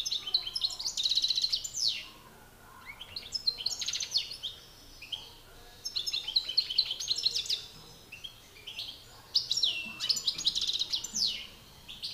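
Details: Two male European goldfinches, a master singer and an excited rival, in a song battle: dense, rapid, high twittering with buzzy rattles and tinkling notes in phrases of about two seconds, with brief gaps between them.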